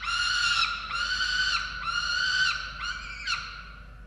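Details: Falcons on a nest camera in Orange, Australia, during chick feeding on 13 November 2022: loud, harsh wailing calls with a rich tone, roughly five drawn-out cries over four seconds, some ending in a quick upward flick.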